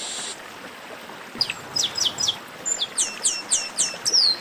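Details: Chestnut-capped blackbird chorus for warming up caged singers: after a brief silence, a string of high, sharply falling whistled notes repeats about every third of a second.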